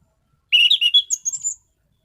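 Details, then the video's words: Orange-headed thrush, a caged bird in full song, delivering a quick run of clear whistled notes that climb from mid pitch to a thin high squeaky ending, all within about one second. "Burung Anis Cendana Gacor mapan.!!!"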